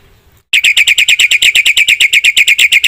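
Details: Black-winged myna giving a fast string of harsh, buzzy rasping notes, about eight per second, steady and loud after a brief quiet start.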